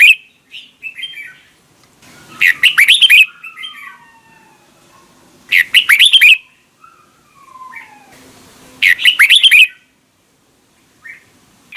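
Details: Red-whiskered bulbul singing its morning song in a wild-type double-note style. Three short, loud, warbling phrases arrive about three seconds apart, with softer, descending whistled notes in the quiet gaps between them.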